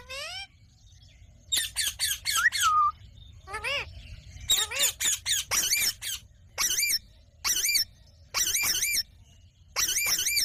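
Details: Pet ringneck parrot talking. It gives bursts of harsh, nasal, harmonic syllables in quick clusters, with a few rising and falling squeaks and short pauses between phrases.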